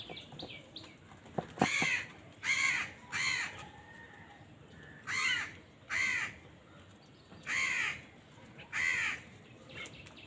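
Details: Crows fighting over food call loudly, giving about eight harsh, rasping caws in pairs and singles across ten seconds, with a few sharp taps near the start.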